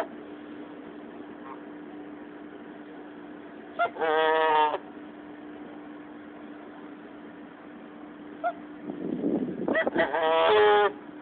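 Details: An angry Canada goose defending her goslings gives two loud, harsh, nasal honking bursts about six seconds apart over a steady low mechanical hum.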